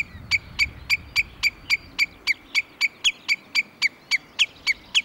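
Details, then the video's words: Common redshank warning call, recorded in Sweden. A steady, metronomic run of sharp high 'tyuk' notes, nearly four per second, continuing unbroken for five seconds against quiet background. "Rödbena / Tringa totanus / Common Redshank / ljud-sound"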